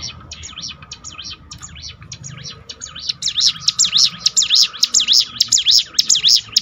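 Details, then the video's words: Training song of a bar-winged prinia meant to lift a discouraged bird's morale: faint rapid chirps at first, then loud, bright V-shaped notes repeating roughly every half second. "bikin ciblek gunung Ngetop || down mental bangkitkan lagi"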